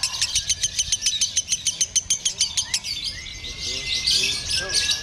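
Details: Lovebird delivering konslet song, crisp high clicking chirps repeated quickly for about three seconds, then breaking into a blurred squeaky warble with thin whistled slides.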